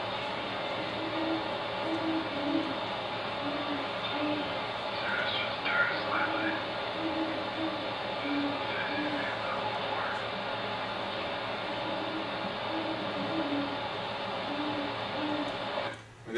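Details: A mated pair of Great Horned Owls in Forest Park, St. Louis, Missouri, duet at full pace, deep soft hoots overlapping; the male may add a cooing, purring edge, and eastern gray squirrels may give warning calls.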